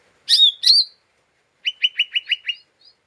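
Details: Two loud harsh rasps followed by a rapid run of six clipped chirps, from an agitated lesser green leafbird used as a 'ngeriwik' provocation sound.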